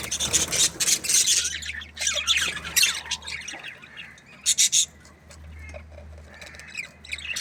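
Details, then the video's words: Aviary budgerigars giving scratchy warbles and sharp squawks, busiest at the start, then quieter with scattered chirps and two loud clipped squawks, over a low steady hum. "Amazing Budgies Aviary | budgies chirping sounds"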